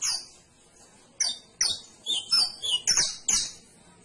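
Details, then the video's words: Canary song: after a quiet second, sharp high chirping syllables, some with piercing whistled tops, follow each other about twice a second over soft hiss. "CANARIO CANTO - 21 MINUTOS DEL AVE CANTANDO"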